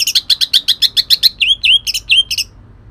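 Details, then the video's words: Rough, shrike-filled song of a greater green leafbird from Kalimantan: a rapid row of loud, evenly timed chirps followed by a few upward-sweeping whistled notes before stopping. "cucak ijo kalimantan tembakan kasar"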